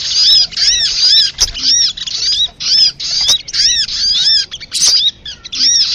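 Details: Sunbird lure recording used to stimulate captive birds into singing: bursts of high, thin, arched chips and twittering trills, packed into rapid phrases separated by brief pauses.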